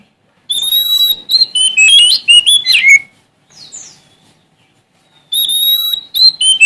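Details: Sumatran Oriental magpie-robin in challenging song: long whistled note followed by a fast series of varied sliding whistles, a soft distant call in a pause, then the loud whistled phrases resume.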